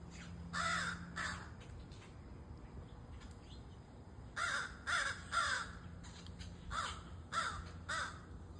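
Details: Crow chick calling with harsh, nasal caws in short bursts, first a pair, then a quicker run of about seven, each rasping note with a falling tail, over a low steady hum.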